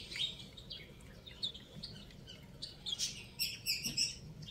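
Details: Chicken chicks at play: a scatter of high, brief peeps and chirps, irregular and overlapping, getting busier and louder toward the end, over a soft low background hum.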